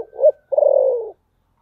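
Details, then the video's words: A spotted dove calls in the "thổ sấm" voice style. A short rising coo is followed after a gap by a sustained, rolling, softly falling coo. "cu gáy giọng thổ sấm"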